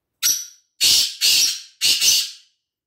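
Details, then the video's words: Black francolin (kala teetar) calling, UK: four harsh, grating, noisy notes in a quick phrase, a short first note followed by three longer rasping ones, the last two nearly joined, with no other sounds. "kala teetar ki awaz"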